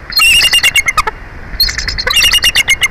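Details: Wild bald eagle at a live-camera nest in Big Bear Valley, with one eagle replacing another on the nest; two bursts of rapid, high, piping chatter, each note short and sharp with downward-falling tails, a brief pause between bursts.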